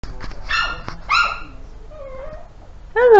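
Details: A pet bird that began barking the night the household's 17-year-old dog died gives three short, harsh, dog-like barks about a second apart, with a softer whining note between them; a person speaks quietly nearby.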